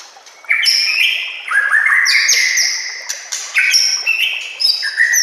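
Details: Masteran song of a white-rumped shama, mixed with natural ambience and running water: overlapping high, ringing whistled phrases that step up and down in pitch, loud and continuous with brief pauses.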